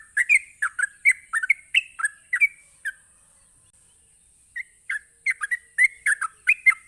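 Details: Sooty-headed bulbul giving a rapid ropelan song meant to provoke other bulbuls into answering: quick bursts of short chattering, slurred notes, pausing for about a second and a half before another fast run of phrases.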